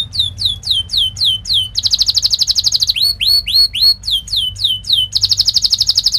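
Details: Canary training song for young canaries: repeated curved whistles at a steady pace alternate with fast buzzy trills and a short group of rising chirps.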